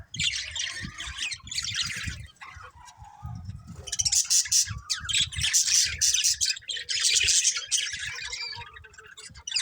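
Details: Budgerigars giving continuous rapid chattering warble, bright scratchy chirps in long bursts with short pauses, faint low bumping noises beneath.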